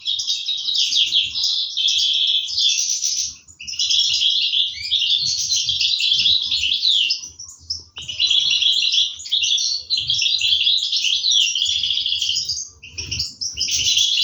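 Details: Young European goldfinches begging while parents feed them, 2023; long bursts of shrill, buzzy twittering that break off briefly around three and eight seconds, then surge again, with soft low knocks beneath.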